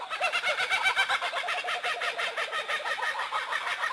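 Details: Kookaburras laughing: rapid runs of repeated hooting, chuckling notes, about two per second, rising and falling in a loud cackling chorus that resembles human laughter.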